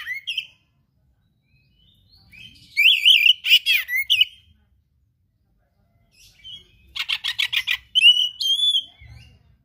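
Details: Kacer, the oriental magpie-robin, singing hard in 'gacor' style with rich 'isian' fill-in phrases used as tutor material: a brief whistle, silence, then a wavering buzzy warble, another pause, and a fast rattling run of clicks ending in clean whistles.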